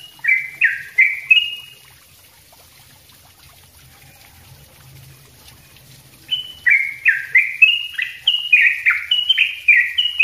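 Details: Sooty-headed bulbul in dense, lively song used to tutor other birds: a short burst of slurred whistles, a few seconds of near silence, then a fast run of bright falling and rising notes.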